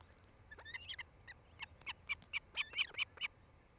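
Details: Nesting osprey pair in Charlo, Montana, nest camera recording from 07-08-2018, late afternoon; a quickening series of thin, high whistled yelps, about a dozen notes, growing louder toward the end over faint background hiss.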